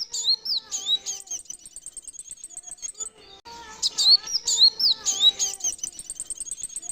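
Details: Male Van Hasselt's sunbird, a caged lure bird for attracting others, giving sharp high whistled chips and rapid, even trills of thin ticking notes, repeated in bursts, with a quieter spell midway before the bright chips resume.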